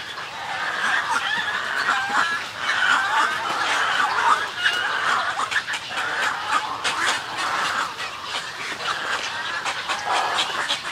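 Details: Snowy egret colony calls and greeting calls: a dense chorus of harsh, hoarse, chuckling croaks overlapping continuously, with many birds calling at once and occasional louder squawks.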